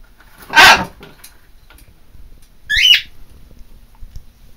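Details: Pet macaw screaming: a loud, broad, grating burst near the start, then a shorter raspy squawk about two seconds later, with quiet indoor background between them.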